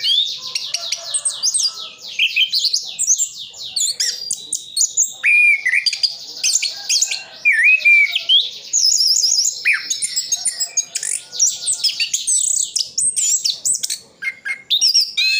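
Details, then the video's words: Orange-headed thrush from Sidoarjo, East Java, delivering a long continuous mimicry-filled song; fast streams of high twittering notes and warbled runs, with lower slurred whistles woven through, almost without pause. "Anis Kembang isian full"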